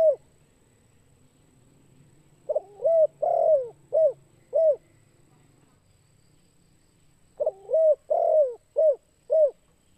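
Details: Repeated kuk 2 phrases of a spotted dove, used to lure birds. Two series of mellow coos, each opening with a stutter and ending in short, clipped hoots, are separated by a few seconds' pause over a faint low hum.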